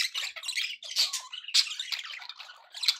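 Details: Happy budgies chatter in a rapid jumble of scratchy notes, short whistled glides and sharp squeaks, with no pause across three seconds.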